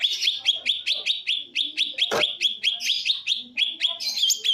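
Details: Green leafbird in the rapid-fire 'tembakan' song style. High, sharp notes are repeated over and over at a quick, steady pace, more than two per second, with one loud click midway and faint murmuring below.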